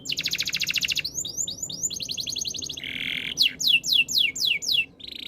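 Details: Varied canary song: a rapid rolling trill, short sweeping notes, a second trill, a low buzzy rasp, then loud, spaced downward whistles and a final buzz.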